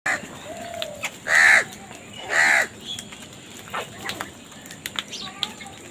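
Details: Crows squabbling over food give two loud, harsh, drawn-out caws about a second apart, with faint chirps from other birds in the background.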